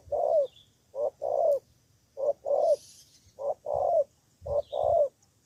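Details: Decoy spotted dove in Cà Mau, Vietnam, repeating a husky two-note coo, short then long and falling, roughly once per second, with soft low knocks and faint high chirps from other birds in the background.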